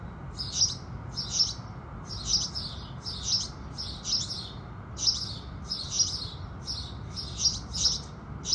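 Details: Morning house sparrow chirps at sunrise: steady, repeated high chirps, often doubled, arriving about every second, with a gentle low-frequency hum underneath.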